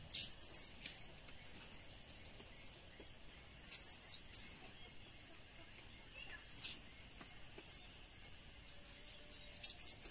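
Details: Blue-crowned hanging parrot used as a lure: scattered bursts of high, piercing squeaks and twittering chirps, loudest in a cluster near the middle, then a loose run of thin notes, over low hiss.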